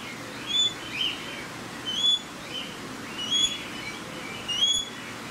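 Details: Australian king parrot at Campbelltown Forest of Wild Birds, Saitama, Japan, recorded 31 March 2018: clear, high whistled notes given roughly once a second, each with a short harsher chirp, over quiet background hiss.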